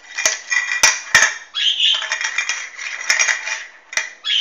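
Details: A Hahn's macaw, recorded 16 March 2013, gives harsh, raspy, buzzy squawks and chatter, broken by several sharp clicks or knocks.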